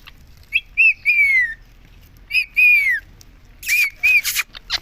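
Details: Caged ringneck parakeet talking, reportedly saying "mummy" over and over; clear two-syllable harmonic utterances, a short note then a longer falling one, repeated three times with a noisy burst near the end.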